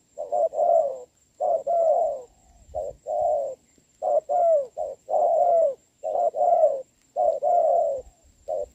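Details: Wild spotted dove with a big body and good voice coos against a trained decoy in the rain, 26 November 2022; grouped gruff coos come in clusters with short gaps between them.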